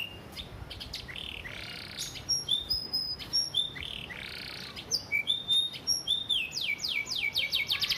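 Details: Canary Isian Gereja master song for training: varied whistles, buzzy rasping phrases and high pure notes, ending in fast repeated descending chips.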